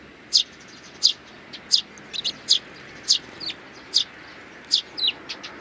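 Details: Sparrows with their nestlings on 8 May 2019, giving sharp high chirps spaced roughly every half second to second, some doubled, against quiet background hiss.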